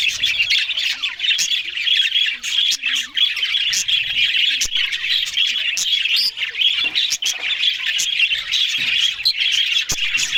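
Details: Australian budgerigars feeding on green food in the morning: a dense, continuous wash of scratchy warbling chatter and squawks from several birds, with sharp clicks scattered throughout.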